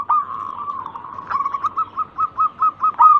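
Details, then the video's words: Local zebra dove used as a singing lure: a drawn-out wavering coo that breaks into short evenly spaced pulsed notes, each slightly louder toward the end, over a faint low hum. "Pancingan burung perkutut lokal gacor pintar merayu cepat bunyi"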